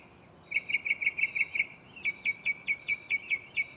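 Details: Mockingbird perched in a tree near the recorder at night, delivering two quick series of bright chirps, each note repeated roughly five times a second, the second run slightly slower.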